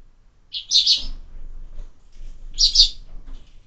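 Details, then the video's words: Sparrow at a window feeder where birds are fed year-round; two loud, bright chirp bursts about two seconds apart, each a quick cluster of high tweets, with quiet background otherwise. "Воробьи в кормушке"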